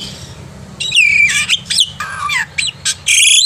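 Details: Black-winged myna singing vigorously in the morning as a model for young birds: loud slurred whistles dropping in pitch, mixed with harsh grating notes and abrupt squawks in quick succession, faint low hum underneath.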